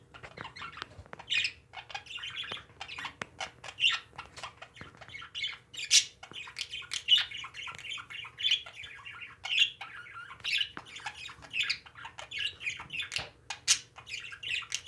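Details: Pet parakeets chattering steadily for about fifteen seconds: scattered high chirps and squeaky notes overlap at irregular intervals, with a few louder squawks standing out from the busy background chatter.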